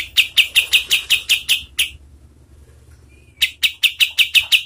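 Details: Kapas tembak repeating sharp, bright chirps at a steady quick pace, then pausing with one soft whistle before resuming the chirping series; a master recording for training competition songbirds.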